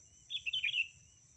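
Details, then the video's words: Female sooty-headed bulbul calling to a male, used as a lure call: one quick bubbly burst of four or five warbled notes lasting about half a second, over a steady high insect hum. "Kutilang Betina Memanggil Kutilang Jantan"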